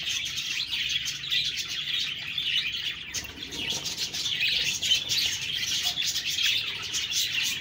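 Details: Lively budgie twittering, a dense mix of high chirps, squeaks and warbled phrases overlapping throughout.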